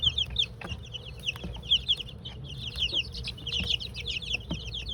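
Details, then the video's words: Dense chorus of high, quick peeps from two-week-old chicks during their first dust bath in a chicken coop; mixed Golden Comet, White Leghorn, Australorp and Rhode Island Red, with continuous chirps over faint low hum. "Sounds of Baby Chicks: 2 weeks old 🐥 1st Dust Bath🐥"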